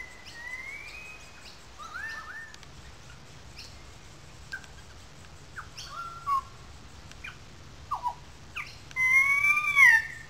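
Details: Loud calling of currawongs in a small gully above wetlands, Sydney Park, St Peters, Sydney: scattered short whistled slides and quieter notes, ending in a strong, drawn-out wavering whistle.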